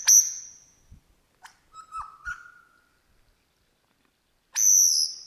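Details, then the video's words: In Australian bush, a wild Superb lyrebird imitates other birds: a ringing high whip note fades out, soft clicks follow, a short mid-pitched buzzy trill appears, then another loud piercing whip note after a long pause. "The Australian Lyrebird singing in the bush"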